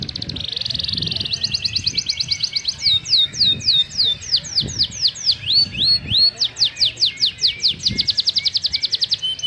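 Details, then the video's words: Atlantic canary in full 'gacor' song with an ornate 'cengkok mewah' style, changing phrases rapidly: a buzzy rolling trill, then repeated high down-slurred whistles, then a long fast trill of clipped notes, with low thumps in the background. "Suara Burung Kenari Gacor cengkok mewah"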